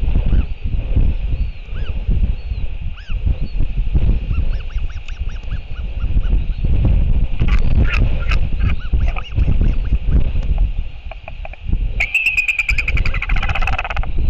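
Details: Royal albatross, father returning to feed chick at nest, New Zealand, 7:58 pm, 28 March 2023: hoarse honking notes midway, then a louder braying, rattling burst near the end, under heavy steady wind roar.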